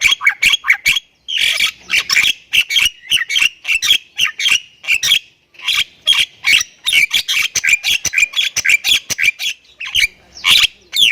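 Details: Jalak kebo, a Javan myna of Thai stock, pours out nonstop 'gacor full isian' song: a long run of harsh, crackling chatter notes fired in rapid series, broken by a couple of short gaps.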